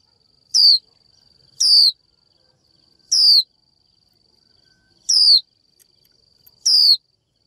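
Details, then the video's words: Female Japanese white-eye calling to a male to stimulate him to sing: five short, bright, downward-sliding whistled 'chiu' notes spaced irregularly, roughly one to one and a half seconds apart, over a faint steady high tone. "Chim vành khuyên mái chíu gọi trống cực hay, kích bổi hót ngay!"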